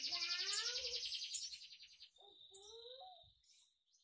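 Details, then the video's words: A captive red siskin sings a fast, twittering song with rapid high trills and short rising whistled notes that echo the songs of other birds; it has been taught to mimic various bird songs. "RED SISKIN BERBAGAI SAUARA MASTERAN BURUNG"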